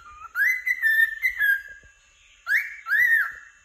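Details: Cheerful cockatiel whistling: a rising, then gently wavering clear note lasting over a second, a pause, then two shorter arched whistles.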